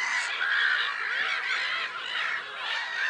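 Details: Dense black-headed gull calling at Lake Sarymsak, Pavlodar region, Kazakhstan, April 2011: scratchy, drawn-out cries overlap constantly, with a few clearer screeches in the mix.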